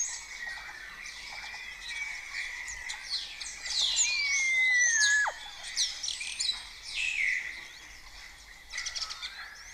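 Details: Starling colony singing at first light in Cabañeros National Park, Spain, with imitations of other birds; a continuous chorus of twittering and high whistles, crossed by one clear whistle that drops steadily in pitch.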